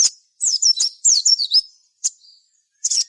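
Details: High-pitched sogon song used to lure other sogon into singing: bursts of quick, slurred whistled chirps in short clusters, separated by brief silences, with a faint thin note trailing after one burst.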